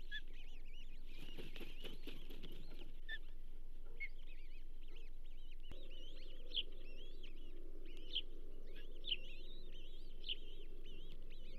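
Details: At the Charlo Osprey nest on 15 June 2024, during a bull trout fish delivery: rapid high piping whistles, briefly mixed with a rustling burst early on, then steady chirping with sharper accented notes roughly every second.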